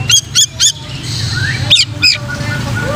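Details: Oriental magpie-robin song meant for training other magpie-robins: three quick bright whistled notes, a pause, then two more sharp chirps over a steady low hum.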